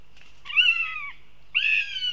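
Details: Young female northern goshawk visiting its nest in Riga, Latvia, giving two loud, drawn-out wailing calls, each slightly falling and nasal, the second starting after a short pause and held steady to the end.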